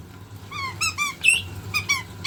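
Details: Pet white-bellied caique indoors, excited and busy checking the water while a washing machine runs: short squeaky calls with bright harmonics, some falling and some sharply rising, in quick bursts with brief pauses, over a low machine hum.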